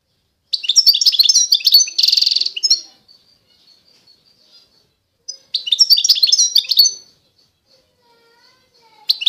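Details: Authentic Constantine goldfinch, eastern Algeria, sings a chattering run of high twitters leading into a harsh buzzy trill. Quiet follows, then another bright twittering phrase and the start of a third.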